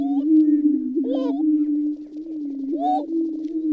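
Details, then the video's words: Great steppe grouse: a constant low, mellow humming drone with brief upslurred hoots and faint high chatter laid on top. "Sounds of a great steppe grouse"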